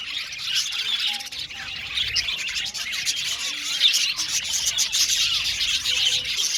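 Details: Aviary full of budgerigars producing a constant high chirruping chatter, layered squeaks and warbles from many birds overlapping with occasional sharper, louder calls.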